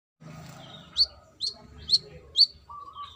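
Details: Brown-throated sunbird, a female calling to the male, gives four sharp, high, rising chips about half a second apart, with a faint low hum underneath.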